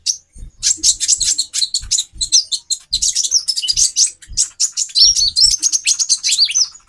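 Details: Konin hen, the Van Hasselt's sunbird, calling to stimulate a male's mating urge: continuous high-pitched twittering, thin chirps and short rising and falling whistled notes, with scattered soft low taps.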